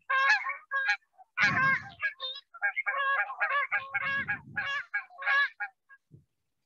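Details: Canada geese giving flight calls at the Davis wetlands, California, on 1 May 2021: loud, nasal, overlapping honks repeated rapidly in a steady chorus, with a few bursts of low rumbling wind noise.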